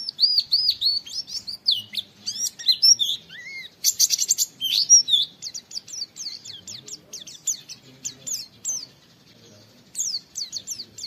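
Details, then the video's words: Lively oriental white-eye song from a "wit wit" training recording: long streams of very high, quick, downward-slurred notes with a brief noisy rasp midway, then a fast series of short falling chips that fades out. "Masteran Pleci Nembak Wit Wit Mudah ditiru, semua pleci terpancing ikut Nge witwit"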